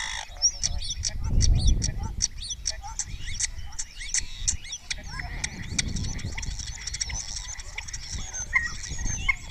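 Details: Spotless starling in full song before the camera at Cabañeros National Park, Spain, with other starlings replying. A dense run of sharp clicks, rattles and quick whistled slides over a steady low rumble; its repertoire is said to include mimicry of orioles and kites.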